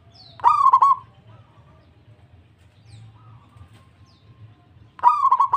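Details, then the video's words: Local zebra dove singing in answer, with two stuttered cooing bursts of quick pulsed notes at the start and the end, separated by several seconds of near quiet and a low hum. "PERKUTUT LANGSUNG NYAHUT PERKUTUT LOKAL GACOR DOR DOR DOR"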